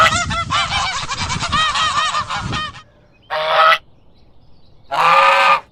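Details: Farm goose honking: a rapid series of harsh nasal calls for nearly three seconds, then a pause, then two separate long braying honks, each about half a second long.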